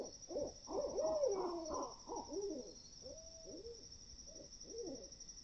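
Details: Great horned owls in the woods at 4 AM hoot and chatter in a rapid run of overlapping, arched notes that fade toward the end, over a steady high-pitched insect whine.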